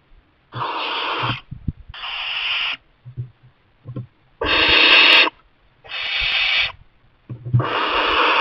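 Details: Young barn owl in a kestrel nest box, its parents repeatedly bringing mice, gives long rasping hisses lasting about a second each, five bursts separated by short pauses, with faint low knocks between them.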